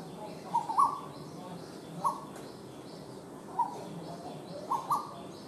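Asian koel giving short, clear mid-pitched notes, repeated roughly every one and a half seconds, over steady low background hiss.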